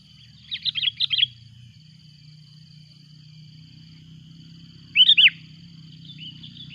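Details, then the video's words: Sooty-headed bulbul calls noisily while a rival approaches. A quick cluster of chirpy, bubbly notes comes first, then a pause of about four seconds and a tighter burst of three bright notes, over a constant high whine and a low rumble. "Suara buRung kutilang ribut memanggil!!!! lawan pun datang."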